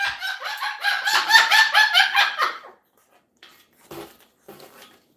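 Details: Pet Moluccan cockatoo indoors giving its joyful greeting 'bok bok bok': a rapid burst of about ten loud, hoarse, clucking notes in under three seconds, followed by quiet knocks and handling noises.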